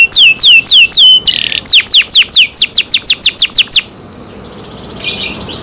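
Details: Canary cared for by its keeper, singing loudly: rapid series of downward-sweeping whistled notes, then a short buzzy burst, more quick descending notes, a steady thin whistle and a final brief trill.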